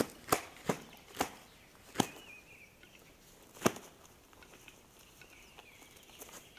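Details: Western capercaillie fight on April 18th, the boss male of the last three years losing to a challenger: five sharp, loud wing blows and thumps at uneven intervals over about four seconds, with faint, thin, high squeaks between.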